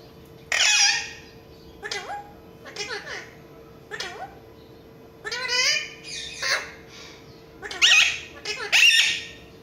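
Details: Alexandrine parakeet talking in front of a mirror, giving a series of harsh, raspy squawks and modulated, voice-like bursts spread across several seconds, some louder and shriller near the end, over a faint steady indoor hum.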